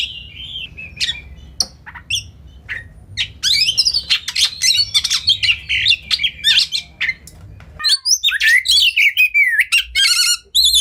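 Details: Training song of a white-rumped shama full of fill phrases and rapid-fire bursts, a dense stream of harsh squawks, whistles and chattering notes that grows busier and higher toward the end, with a low hum underneath.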